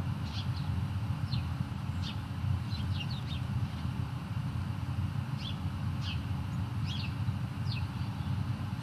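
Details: Great spotted woodpecker at Huerto de El Retiro, Madrid: about ten sharp, short, high kik notes, some paired, scattered irregularly over nine seconds above a constant low rumble of city traffic.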